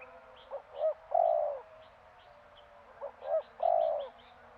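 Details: A spotted dove calls twice, each phrase made of two brief coos and then a long, rough, sustained coo. Faint chirping from other small birds runs underneath.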